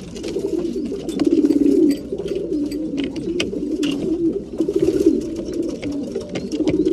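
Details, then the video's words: Several breeding pigeons cooing together at feeding time, deep rolling coos swelling in bursts, with scattered clicks and faint thin chirps above. "Breeding pigeons / mealtime"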